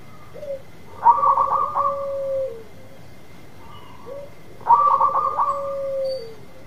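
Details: Zebra dove, a local bird in full voice, calling to coax another dove back into song: two phrases of rapid stuttering coos that slide into a drawn-out falling coo, roughly three and a half seconds apart, with a thin constant hum behind.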